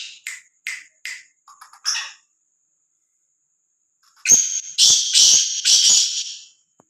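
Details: Black francolin roaming freely and without fear; a few soft clicks and chips come first, then after a pause a rapid, harsh series of four or five grating call notes.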